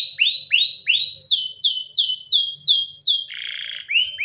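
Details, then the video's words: Canary song with loud, swooping notes repeated about every half second, first rising slurs, then falling glides, then a brief scratchy buzz before another rising whistle. "Canary singing"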